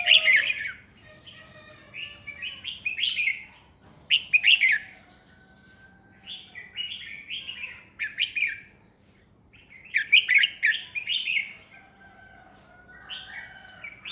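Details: Red-whiskered bulbul decoy bird in training, singing to provoke rivals; repeated lively warbled phrases of chirpy slurred notes, roughly every two seconds, with short silences between bursts.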